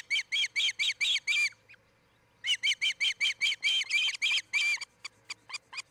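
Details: At a Charlo, Montana osprey nest on camera, 07-10-2018 between 03:29 and 04:29, with a pair building the nest: two bursts of loud, shrill chirps, the first about seven notes, a pause, then a longer, faltering series trailing into scattered clicks.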